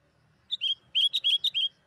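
A Sooty-headed Bulbul gives a quick, bubbly phrase of about six clear, liquid whistled notes, slightly rising and falling. The background is quiet.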